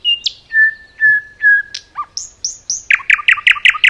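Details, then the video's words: A common nightingale sings in a forest: long pure whistles on one pitch repeated about every half second, a brief low note, three high slurs, then a rapid series of loud chirps. "Nightingale song"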